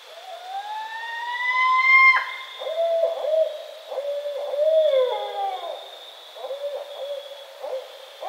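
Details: Barred owl (Strix varia) calls: a long rising wail that breaks off, then a run of throaty hoots and a sliding, drooping note, over a steady insect hum.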